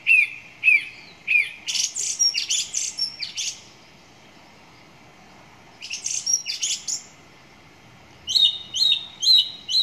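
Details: Song thrush singing: clear whistled notes near the middle of the range given three times, then a burst of sharp high notes. After a pause another brief high phrase comes, and the clip ends with a bright note repeated four times.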